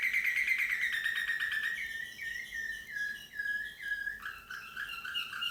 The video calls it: Slavujar Canary Singing